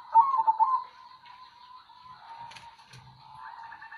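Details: Kong-voiced local zebra dove: a burst of rapid trilled notes that flows into a long, even, sustained coo, followed by a softer trill at the end in a quiet setting.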